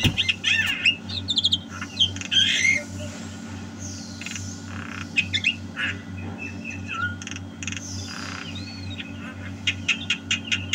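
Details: Javan myna giving squawky song bursts with sharp clicks and short whistles, separated by quieter gaps, ending in a rapid series of ticks; low steady hum throughout.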